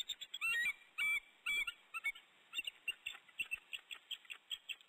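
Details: Female bald eagle in the nest calling to her mate on a perch above before they bond; a rapid string of high, shrill chattering notes, louder at first, then quicker, fainter piping trailing off.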